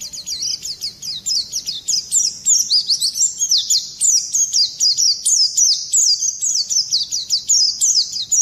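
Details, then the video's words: Oriental white-eye in energetic ngerol nembak song, used as a training recording to provoke other birds into singing: fast, high, thin chirps and rapid descending sweeps in a dense rolling stream, pausing briefly between bursts. "Pleci gacor ngerol nembak kasar cocok mancing emosi"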